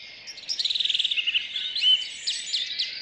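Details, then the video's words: Wild birds singing in a city park in Rheine, early morning in May 2011, four-track recording: a rapid run of about a dozen high chirped notes, then varied warbling phrases and sharp descending high notes, several singers overlapping. "Vogelstimmen Stadtpark Rheine2011"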